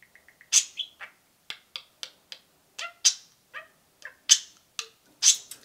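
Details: Pet budgerigar pair cheeping: three soft even peeps, then loud raspy cheeps and clicky chirps spaced irregularly, roughly one per second.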